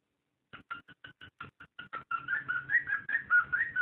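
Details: Cockatiel mating call, played to stimulate breeding: a run of short, evenly spaced whistled notes, then a continuous warbling whistle that wavers up and down, in a quiet indoor space.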